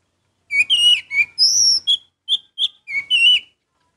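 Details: Orange-headed thrush delivering a varied whistled phrase: sliding slurred notes, a high sustained whistle, then short separate chirps and a final warble, all loud and clear with no background.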